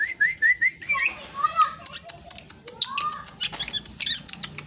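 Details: Young drongo coming of age opens with four quick repeated rising whistles, then lower slurred notes and scattered high chips over soft clicking.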